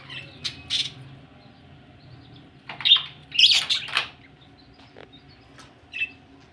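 Budgerigars give short, scratchy squawks and chirps in irregular bursts, with a louder cluster of harsh chatter in the middle, over a low background hum.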